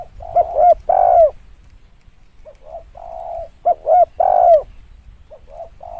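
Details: Spotted dove used to lure birds: loud phrase of two short hoots and a long curving coo, quieter drawn coos between, the loud phrase repeated about three seconds later.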